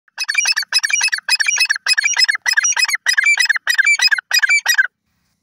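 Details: Grey francolin, known locally as teetar, giving a loud harsh call series: about nine rapid grating bursts in five seconds, each made of quick clipped notes, with no other clear sounds.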